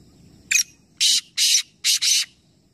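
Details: Black francolin call from a three-bird calling competition in Nawabshah, Pakistan: one brief high note, then four loud scratchy, harsh bursts in two pairs, over a faint low rumble.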